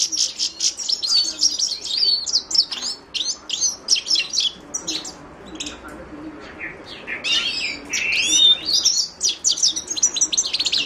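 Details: Himalayan goldfinch delivering short clusters of sharp high chirps, later merging into a fuller twittering phrase with buzzy, sliding notes.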